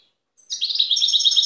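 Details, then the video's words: Wild European goldfinch from Tiaret, recorded in 2015, bursting after a short silence into a rapid, high, twittering trill of evenly repeated liquid notes, clear and loud, with no other sounds. "تغريد بري لحسون تيارت"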